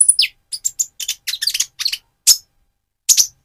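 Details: Van Hasselt's sunbird in spotted immature plumage sings to excite a rival bird. A high downslurred note starts a rapid string of dry chips, then two isolated sharp calls after short gaps.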